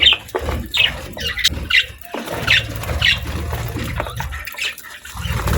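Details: Pet budgies eating healthy food, scattered high chirps roughly every second above a steady low hum and light rustling.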